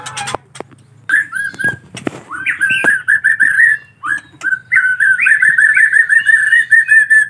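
Collared Kingfisher chicks give rapid, harsh, slightly rising notes, overlapping almost continuously, after a few sharp knocks and handling sounds at the start.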